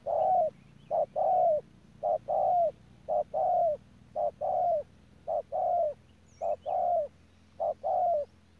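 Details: Decoy spotted dove at Đức Cơ calling very regularly, about once a second: each phrase a brief coo followed by a longer coo that falls at the end, repeated eight times over a faint low hum.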